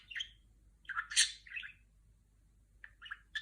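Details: Female pet budgerigar imitating R2-D2 from Star Wars with short, harsh squawky chirps and one loud buzzy burst, then a pause and a few clipped notes, quiet surroundings.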